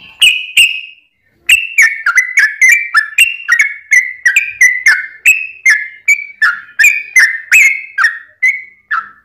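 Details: A long run of song from a sooty-headed bulbul meant to spur other birds into singing: clear, liquid whistled notes, each sliding downward, delivered about three per second after a brief pause.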